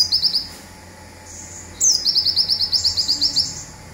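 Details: Zipper-style song of a local olive-backed sunbird, used as master audio for training birds: a short rattle, a thin held whistle, then a downswept note launching a long rapid series of high, evenly spaced ticking notes.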